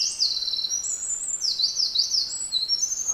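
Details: In a Japanese deep-mountain beech forest, a Eurasian wren pours out a bright, very high song of fast zigzag trills and thin whistled slides, sustained and forceful throughout.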